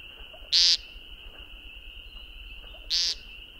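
Eurasian woodcock giving two short, harsh, buzzy squeaks about two and a half seconds apart, over a steady high insect drone.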